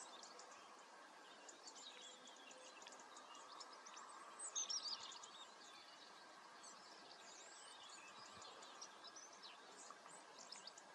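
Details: A European greenfinch (Carduelis chloris) twitters in fast, high chirps and trills, with one louder burst of descending notes midway, over a steady outdoor hiss.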